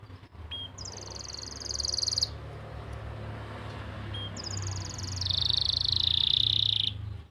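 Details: Master-song canary from Pati, Central Java, used to prompt silent or young canaries to sing: two long, high, rapidly pulsed trills, the second dropping slightly in pitch, separated by a pause with a steady low hum beneath.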